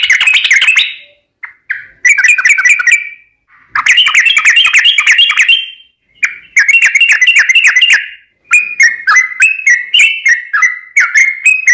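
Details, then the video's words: Yellow-vented bulbul singing vigorously, used as a lure to draw other birds: bursts of bubbly, chattering notes in a stream of short, rising and falling phrases, separated by brief pauses. "Ini Baru Pancingan Trucuk Sesungguhnya || Burung TRUCUKAN GACOR"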